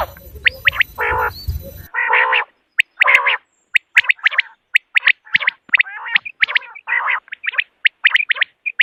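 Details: Common quail calling in the morning, used for hunting: two seconds of noisy rumble at the start, then clear repeated chirps and raspy bursts in an uneven fast series.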